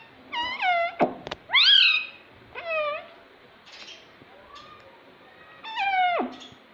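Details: Captive talking parrot repeating "mummy mummy": several short, falling, buzzy-harmonic syllables in quick groups, with a sharp click or tap between phrases and quiet room noise in the gaps.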